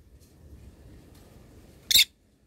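A lovebird gives one sharp, shrill, harsh squeak, lasting well under a second, against a quiet indoor background with a faint low murmur.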